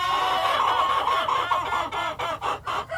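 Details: Hens and a cockerel on a farm: a continuous stream of busy, overlapping clucks and cackles, with a steady low hum beneath.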